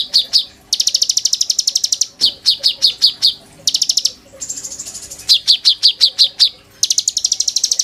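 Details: Oriental magpie-robin, a caged bird singing hard in the bowing style and used to tutor white-rumped shamas. Dense buzzy rattling trills alternate with bursts of sharp, high, evenly spaced chirps, with short pauses between phrases.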